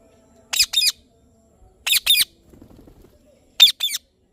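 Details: Indian ringneck parrot giving three harsh, rasping double chirps roughly one and a half seconds apart, with a brief soft rustling sound between the second and third pairs.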